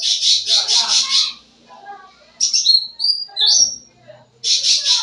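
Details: Lively song of a Sooty-headed bulbul as a lure for young birds: pulsed high buzzy rattles, a pause, then sliding whistled notes rising in pitch, and the rattle again.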